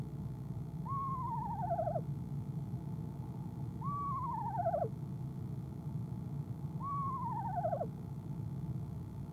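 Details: Eastern screech owl female calling from a nest box on a camera feed, evening of 25 January 2015, before she left; three wavering, falling whinny calls about three seconds apart over a steady low hum.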